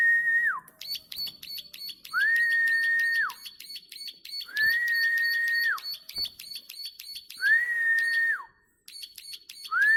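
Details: Plain prinia in a long, lively clicking song: a rapid, even train of high dry ticks runs almost throughout. A steady whistled note, about a second long and falling at its end, repeats every two to three seconds.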